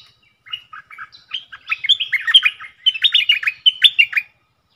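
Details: A bulbul kept as a decoy bird pours out a continuous chattering song in doubled style: a rapid string of bubbly, slurred whistled notes in two loud bursts separated by a brief dip.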